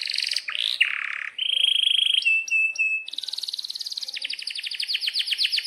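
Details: Canary singing long rolls and sharp chirps: swooping notes, a buzzy roll, clear held whistles, then long series of rapid rhythmic chirps, repeated several times a second.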